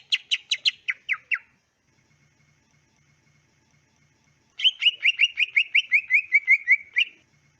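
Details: {'caption': 'Greater green leafbird singing on a training recording for caged birds: a short burst of rapid sharp notes, a pause of about three seconds, then a long steady train of repeated whistled notes, slightly falling.'}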